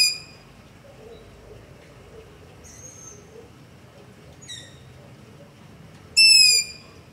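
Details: Long-eared owl heard in darkness near a house, begging calls captured on a Zoom H5 with LOM Usi Pro mics: three faint, high, strained squeaks spaced over several seconds, then a louder half-second squeal near the end.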